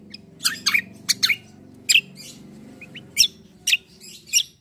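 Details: Sparring black-winged myna (cucak kombo) in chatty 'ngeroll' song; sharp, grating high notes fire in quick clusters, some doubled, over a continuous low droning background.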